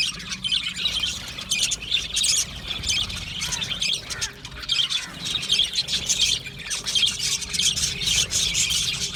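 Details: Australian budgies chirping and singing in a thick, continuous warble of high scratchy notes and squawks, one short quieter break near the middle.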